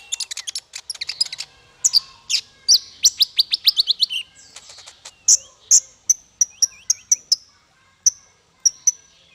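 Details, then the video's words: Bird song used as masteran, a training recording for small fighter birds: rapid high chirps run into a fast buzzy trill, then bright repeated notes and thin sustained whistles with pauses between them. "Masteran paling merdu untuk burung faigter kecil"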